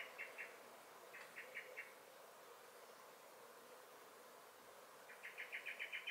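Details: A common blackbird in a garden on 23 May 2021 gives short, sharp chinking alarm notes in quick runs of four, then a longer rapid series of about seven, over a quiet background hiss.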